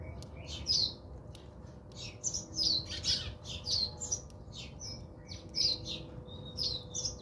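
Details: Several house sparrows chirping while bathing at a home in South Africa; quick, bright, slightly squawky chirps come in clustered bursts, often two or three together, almost without pause.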